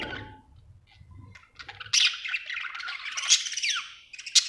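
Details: A happy budgerigar, after a quiet low rumbling start, breaks into loud scratchy chatter with squawks and a descending whistled slur, ending on sharp high chirps.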